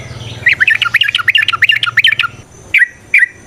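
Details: Yellow-vented bulbul in fighting song that provokes a fighting response: a hurried chattering phrase of jumbled chirps over a low hum, then two single sharp notes.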